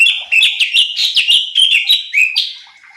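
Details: Light-vented bulbul (cucak cungkok) on a training recording to excite other birds: a tight, fast series of bright chirped notes about four per second, slurring downward and fading at the end.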